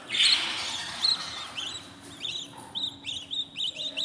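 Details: Fourteen-day-old budgerigar chicks in a new nest make one raspy burst at the start, then a string of short, bright, upward-flicking chirps repeated roughly every third of a second.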